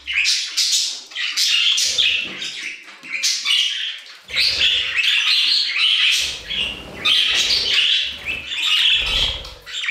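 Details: Singing budgerigars in an aviary make lively, grating chatter and squawks in rapid, overlapping phrases, with brief lulls and low bumping noises.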